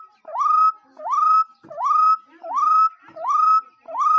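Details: Bird calling indoors with a clear whistle that dips and then sweeps up to a long, level note, repeated five times at steady intervals. Faint low knocks are heard between calls.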